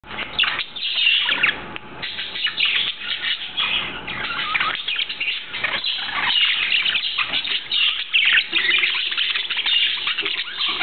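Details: A 4-week-old baby budgerigar chatters in a busy stream of scratchy chirps and squeaky warbles; Budgerigar.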